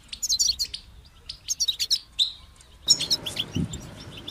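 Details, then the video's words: European goldfinch singing in captivity: short clusters of high chirps and twitters, then a busier twittering run accompanied by a low thump and rising background noise. "Highlighting motivating songs for creative goldfinches in simple ways"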